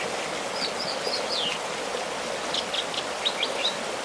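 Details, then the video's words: American dipper singing and dancing on its rock about 10 miles northwest of Bishop, California; a clear run of sharp whistled downslurs, then a rapid burst of repeated high notes, above rushing stream water. "The American Dipper Serenade"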